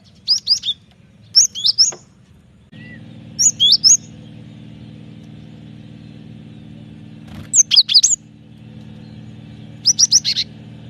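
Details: Cinereous tit in active song, recorded as a lure for training birds: short groups of three or four high chirped notes every two seconds or so, over a low engine-like rumble.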